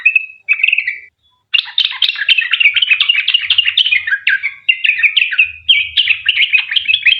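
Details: Yellow-vented bulbul in long rapid-fire 'ropel' song, meant to coax other bulbuls into singing. A few clear whistles and a short pause, then an unbroken run of bright bubbling, jumbled chirps.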